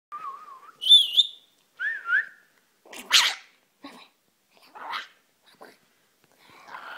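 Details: Pet rainbow lorikeet wrestling and playing at night, making funny noises: a wavering whistle, a high trilled whistle, a two-note rising whistle, then short harsh rasping squawks and scratchy bursts.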